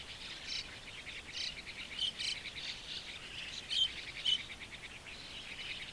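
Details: Hungry White-cheeked Starling fledglings begging while adults feed them insects near a shallow waterhole, Japan, early June 2015. Raspy, hissing bursts of chatter rise and fall, with a few sharper, louder notes standing out briefly.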